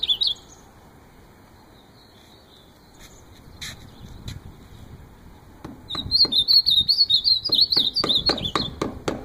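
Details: Ultramarine grosbeak singing: a brief high note at the start, scattered clicks, then from about six seconds a fast, warbling phrase of quick up-and-down notes near the upper range, with sharp knocks mixed in.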